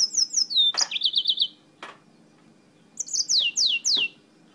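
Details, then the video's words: Mozambique canary brought from Spain in steady song: rapid descending whistles, then a quick trilled run of repeated notes, a click, and after a pause a series of sweeping downslurred whistles. "CANÁRIO-DE-MOÇAMBIQUE DIRETO DA ESPANHA CANTANDO MUITO"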